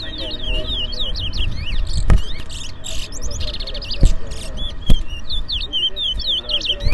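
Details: Towa towa, or Lesser Seed Finch, kept caged and competing against another bird in a Berbice, Guyana bird race: dense bursts of high, sliding whistles and quick chirped phrases, with loud clicks and low crowd murmur behind.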